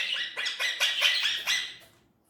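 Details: Indian ringneck parrot talking: six quick, harsh, raspy syllables in a burst lasting under two seconds, then fading to silence.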